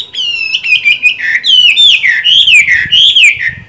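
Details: Moulting Chinese hwamei with green-bean eyes, still in good voice: a continuous run of rich, sliding whistles that rise and fall in quick succession, loud and clear against a quiet background.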